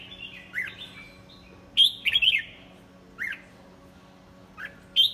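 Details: Red-whiskered bulbul, "pháo cối" type, noted for an odd, stiffly fanned crest, delivering short whistled bursts: a descending slur, then a loud warbled cluster near two seconds, a downslurred note after three seconds and a final sharp phrase.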